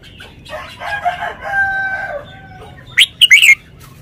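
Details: Caged red-whiskered bulbul showing its song phrasing: after a long, droning crowing-like call from another bird, a loud, clear three-note whistled phrase bursts out near the end.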